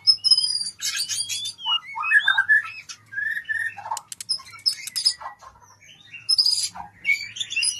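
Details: Singing white-rumped shama, played to speed birds into breeding condition: quick mix of sweet whistled notes, rich mid-pitched warbles, sharp clicks and harsh chattered bursts, delivered in rapid changing phrases.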